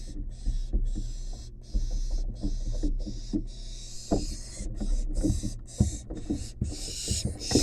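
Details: Wild barn owl nestling in a monitored nest box begs as its mother delivers a long-tailed rat: rapid harsh hissing bursts about twice a second over a heavy low rumble, with frequent knocks and scuffling.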